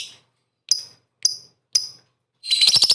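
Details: Lovebird recorded as bait to provoke rivals: three sharp, clipped, falling chips about half a second apart, followed by a loud, rough, buzzy chattering burst.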